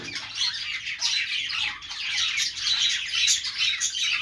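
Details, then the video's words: Budgerigars singing happily: rapid, overlapping high chirps and grating warbles packed tightly, around two notes per second, with thin whistled flourishes over a constant chattering wash. "budgies sounds | budgies singing | parakeet chirping sounds | Australian parrot sounds"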